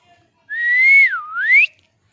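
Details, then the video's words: Pet ring-necked parrot giving a loud, pure whistled phrase that rises slowly, dips, and then climbs again to a high finish, lasting just over a second, with nothing else audible. "My Amazing Parrot Natural Sounds"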